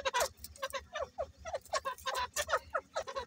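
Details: Breeding pair of grey francolins calling with loud, scratchy, downward-slurred notes in rapid clusters, each cluster separated by short gaps.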